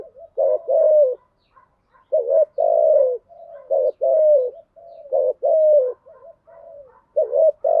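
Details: Low 'gù thúc' cooing by a spotted dove in the 'thổ' voice: three clear phrases, each a brief upturned note followed by a drawn-out descending coo, softer purring notes in the gaps, no other sounds.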